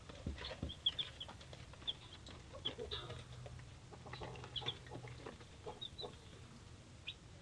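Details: Over several seconds, three-day-old hatchery chicks of many breeds keep up steady high peeping, sharp repeated cheeps spread throughout, alongside frequent ticking and scratching sounds and a faint low drone.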